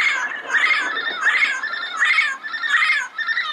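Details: Yellow-headed amazon giving loud, harsh, raspy squawks that run almost together, about five rough rising-and-falling calls in quick succession with little pause between them.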